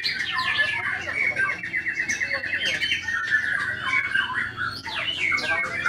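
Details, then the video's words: White-rumped shama in full song, mixing rapid chattering rattles with clear whistled notes and sharp upward-sweeping phrases, a continuous and varied stream; softer bird twittering and low background noise underneath. "IN ACTION MURAI BATU SAKTI"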